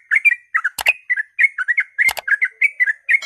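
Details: Dawn ropel song of a sooty-headed bulbul, played to spur other bulbuls to sing: fast, bubbly whistled notes in pairs and triplets, broken by two sharp clicking knocks.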